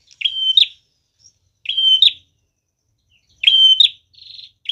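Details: Prinia song used as a bird-trapping lure: loud high buzzy phrases with a flat whistled core, each ending in a sharp upward flick, repeated about every one and a half seconds with silent gaps.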